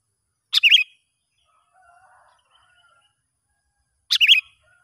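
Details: Sooty-headed bulbul heard where a young lure bird is being tested in the wild: two short, sharp-then-warbling whistled phrases roughly three and a half seconds apart, with faint low sounds between.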